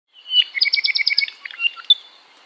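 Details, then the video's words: A native Hawaiian ʻApapane honeycreeper sings a quick run of about eight bright, slightly buzzy chirps, then a few scattered whistled notes, ending on a sharp high note. "‘Apapane Song"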